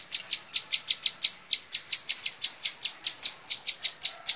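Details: Ciblek sawah (bar-winged prinia) chipping nonstop: a rapid, fairly even series of bright, high, clipped notes, about four or five per second, in montal mantul style.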